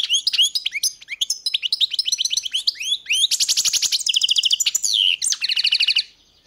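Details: European goldfinch in a continuous, fast song of chirpy twittering notes, then buzzy rattling trills and a sharp slurred note near the end before falling quiet.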